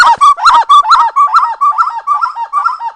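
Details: Spot-winged wood quail (uru) song from Serra dos Órgãos National Park, Teresópolis, Rio de Janeiro, Brazil, recorded clean without effects: a fast, rhythmic chorus of mellow, rolling, gurgling phrases repeated about twice per second, steady and continuous.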